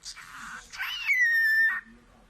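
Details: Pet cockatiel talking, said to say "kiss" in Taiwanese: a few breathy, hissing syllables, then a long clear whistled tone that falls slightly before stopping abruptly, indoors.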